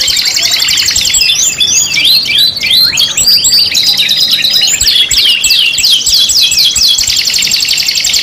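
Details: Canary song from a five-in-one lure recording used to prompt other canaries to sing. The song is loud and continuous, with rapid rolling trills, sweeping whistled slurs and dense chattering phrases running without a break.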